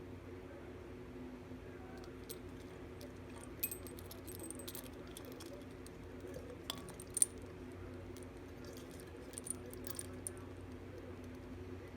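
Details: Light metallic jingling and clinking over a steady low hum, with no animal voice.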